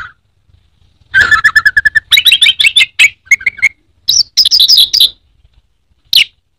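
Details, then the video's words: Orange-headed thrush (anis merah), a favourite cage songbird in Indonesia, delivering fast bursts of sharp chips and whistled trills in separated phrases, high and piercing, with short silences between bursts over a quiet background. "Burung anis merah teler teler keterlaluan"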